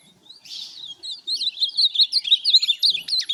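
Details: A brief, fast song from a tournament Ultramarine grosbeak starts with a buzzy note. Rapid high, slurred twitters follow that grow louder toward the end.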